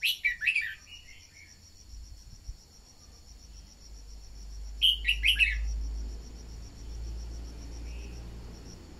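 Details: Song of a decoy red-whiskered bulbul, played to push newly caught birds to sing. Two bursts of three or four clear, chirpy warbled notes are about five seconds apart, with a continuous high insect drone.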